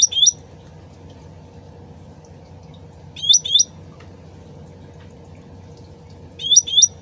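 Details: Sooty-headed bulbul, original voice with a trickling-water backdrop: three bursts of two quick upslurred whistles spaced about three seconds apart, water murmuring throughout.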